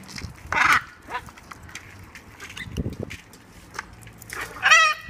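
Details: Wild macaws in their natural environment while flying and eating: two loud, harsh, raspy squawks, one early and one near the end, with quiet rustling and faint sounds in between.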